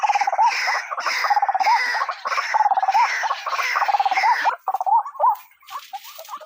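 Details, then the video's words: Trapping lure of a White-breasted waterhen: long trilled bursts of fast pulsing notes, each ending in a short rising flick, repeated several times before breaking into scattered, fainter croaks. "SUARA BURUNG RUAK RUAK"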